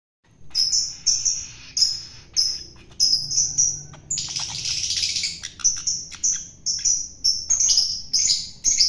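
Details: Wild-caught long-tailed shrike being hand-fed to tame it: high, buzzy, scratchy notes repeated about every half second, broken midway by a longer harsh rasping burst, over a thin steady insect-like whine.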